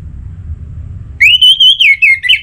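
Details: A single Orange-headed thrush song burst meant to get other thrushes singing. A clear whistle rises and holds, then breaks into fast wavering notes that slide downward.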